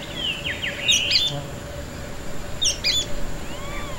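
A Sooty-fronted spinetail sings quick, sharp, chattering notes, repeated in short bursts over a steady hum.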